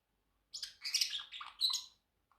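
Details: Pacific parrotlet, a pet bird, chirping indoors: a short burst of sharp, high chirps and trills lasting about one and a half seconds, then quiet.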